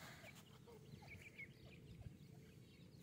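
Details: An Iranian partridge and its small chicks give soft, brief notes and thin high peeps, scattered irregularly over a steady low rumble.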